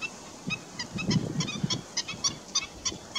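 A black-winged stilt gives a string of sharp, nasal yelping notes, about three a second at an uneven pace, over a low rumble of wind.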